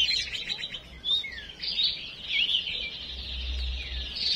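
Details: A female huýt songbird, used as a lure to provoke rivals and push other birds to sing, gives a busy stream of high chirps, twitters and short sliding whistles, nearly continuous, over a faint low hum.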